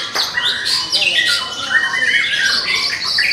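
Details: Young White-rumped shama from the forest, caged, sings loud clear whistles that glide down and up, mixed with short buzzy chips.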